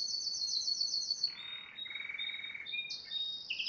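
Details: Yellow Spanish Timbrado canary singing in 2011: a fast high rattling trill, then lower rolling buzzy phrases and a bright whistled note, with quick changes of pitch between sections.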